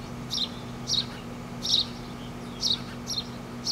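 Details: Four nestlings in a front-yard tree being fed by their parents: high, thin chirps in short bursts roughly every half second to second, over a steady low hum.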